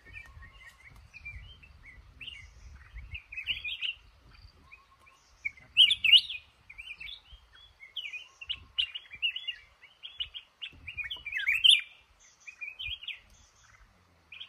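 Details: Male red-whiskered bulbul in a trap in a cashew garden, singing short bursts of bright warbled, chattering phrases, some rising and falling, with a few louder peaks and faint low rumbling beneath.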